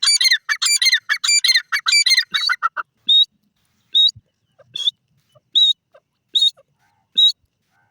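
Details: Francolin being fed, kept for crossing; a burst of rapid, raspy chattering gives way to single clear whistled notes repeated roughly every 0.8 seconds.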